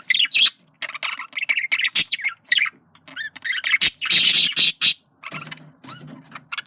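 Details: Male budgerigar flirting, pouring out loud scratchy chatter with harsh squawky notes and warbles in quick uneven bursts, a few louder screechy peaks near the end.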